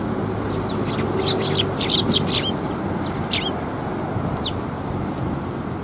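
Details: Eurasian tree sparrows coming to a bench to be fed on 7 January 2022 give short, sharp chirps in a loose, irregular cluster, several overlapping in the middle, over a steady low rumble of background noise.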